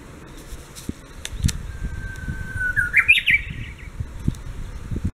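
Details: Japanese bush warbler singing an answer: one long, steady, pure whistled note, then a quick higher, twisting flourish of jumbled notes, sounding fairly distant over low background rumbles and a few soft knocks.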